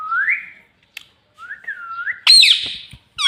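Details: Talking parrot kept as a pet, known for saying "mummy papa", gives clear rising whistles, then a harsh burst of squawk and a sharp harmonic call at the end.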